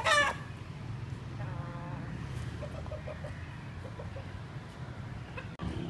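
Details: A just-caught Aseel rooster gives a loud, harsh squawk, then a fainter drawn-out crow and a few soft clucks over a steady background hum.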